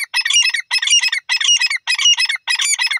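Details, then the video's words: Grey francolin calling loudly in harsh, grating double bursts, five phrases repeated about every half second over three seconds, with no other sounds. "dakni teetar ki lovely awaz teetar ke massti"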